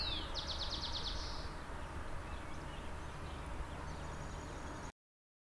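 A finch gives a high, thin opening note and then a fast, even trill lasting about a second. After that only a low rumble of background noise continues.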